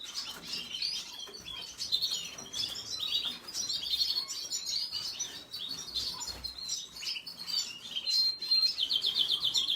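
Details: Venezuelan red siskin in a long run of busy, high twittering song: quick chirps, sliding notes and a buzzy rattle near the end, delivered almost without pause.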